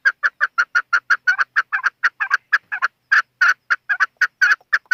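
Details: Chukar partridge in a steady, unbroken series of loud, hoarse chuck notes, several per second. Some notes are doubled or slurred into a chattering rhythm, with no other sounds.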